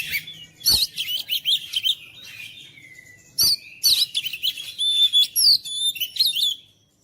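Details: Oriental magpie-robin in full song, intended to make quiet birds sing vigorously: rapid, varied chirps and buzzy notes, then a later flurry with long, level high whistles and sharp upward flicks.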